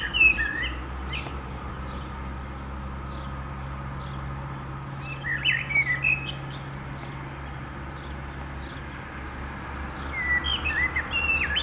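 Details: Common blackbird singing on 29 April 2019 in spring: three separate phrases, each of low fluted whistles followed by a thin, high twittering flourish, spaced several seconds apart with a steady low hum underneath.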